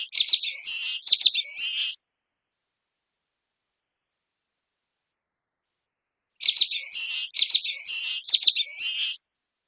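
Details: Common waxbill song in two separate bouts several seconds apart, each a rapid run of high, thin chips that runs into buzzy, slurred trills. Silence lies between the bouts.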